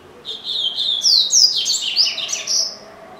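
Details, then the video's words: Caged double-collared seedeater kept at home in Brazil, singing a fast, varied run of high whistled and slurred notes that sweep up and down, phrases tumbling together without pause. "Coleiro Bravo - Canta Muito"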